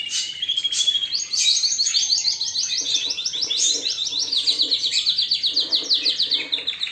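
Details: Canary song built on a long run of rapid, repeated high notes forming a steady rolling trill, preceded by a few whistled chirps, with some softer lower tones underneath.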